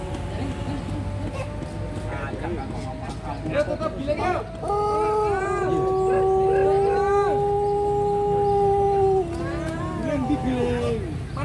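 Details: Pelung rooster crowing at the Balung Jamur Cup contest in Ngawi, star-battle class: one long, drawn-out, steady-pitched crow held about four seconds, then a slight downward step, over continuous background music and crowd murmur.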